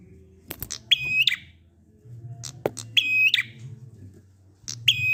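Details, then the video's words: Drawn-out 'ngalun' song of a prinia, played to get other prinias singing. Three bright, buzzy high bursts come at uneven gaps of about two seconds, with a faint low hum behind. "Prenjak ngalun ampuh 100% buat prenjak macet agar ikut bunyi"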